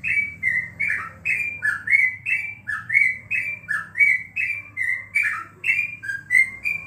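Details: Loud caged yellow-vented bulbul at home during the corona period, a continuous stream of warbled bubbling notes, each a short downward slur, about two per second, over a low hum.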